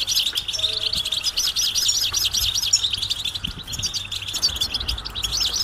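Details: European goldfinch mating and readiness calls, meant to stimulate silent males into singing: a dense, continuous stream of high, rapid, liquid twittering chirps with quick up-and-down notes, and a faint low hum beneath.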